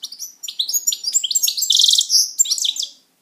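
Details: Steady, jangling song from a pet European goldfinch: quick liquid twitters mixed with a dry buzzy trill midway, delivered without a break for about three seconds.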